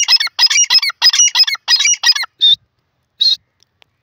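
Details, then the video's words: Grey francolin calling: a rapid run of harsh, high, squeaky notes in close clusters for about two seconds, then two separate shorter whistled notes after pauses, with near silence around them. "teetar ki awaaz the best bird teetar sound video"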